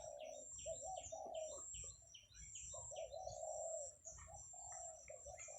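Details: Kept zebra dove cooing in the morning on 17 July 2023 while buffalo are herded in the countryside: rolling, burred coos in phrases about a second long, with high chirps from other birds behind.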